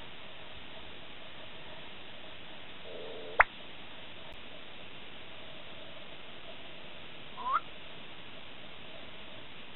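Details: Black-bellied bustard in the Masai Mara, Kenya, giving a single sharp pop, then a short rising whistle about four seconds later, over a steady hiss of background noise.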